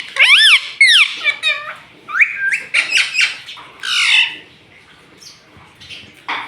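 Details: Pet ringneck parrot squawking in a rapid series of shrill, bending harmonic cries, then rasping chatter that fades into quiet room sounds.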